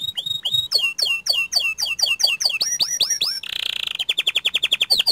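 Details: Panda-colored canary singing actively, rolling and stretching out long phrases. Drooping hooked whistles repeat about three times a second and climb in pitch, break into a brief harsh buzz, then end in a rapid, even trill.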